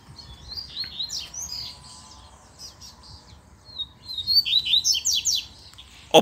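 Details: Wild double-collared seedeater in the bush, answering a lure with quick, high, buzzy chirping phrases, softer early and louder toward the end, closing with a sudden knock.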